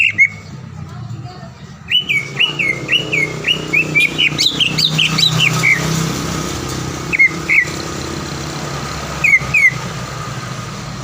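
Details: Green leafbird song as a lure to stir rival birds into singing: a chain of rapid looping whistles around two to six seconds, then scattered short whistled pairs, over steady low background noise with occasional clicks.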